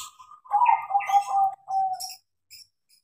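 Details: A trained, tame crossbred zebra dove delivers a trilling coo phrase after a short soft lead-in: stuttering, throbbing notes ending in a longer steady coo. Faint high clicks follow.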